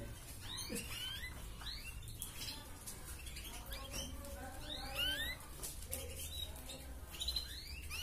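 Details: Red canary with 'gacor ngerek' tutor song used to encourage females to breed: scattered upward-slurred whistles and short chirps of varied pitch, loosely spaced, over constant low background hum.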